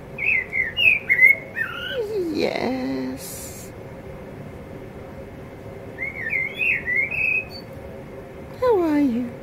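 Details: Male blackbird in a yard, singing softly to himself. Two groups of rapid, twisting, whistled warble notes. A human voice speaks in between and again at the end.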